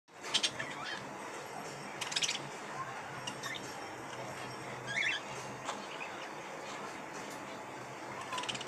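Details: A male budgerigar gives brief, scratchy chirps at intervals over a steady background hiss.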